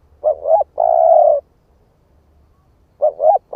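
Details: Spotted dove, 'ức chẻ' type, giving its lure coo: a double rising note, a long steady low coo, then after a pause another double note beginning the next phrase.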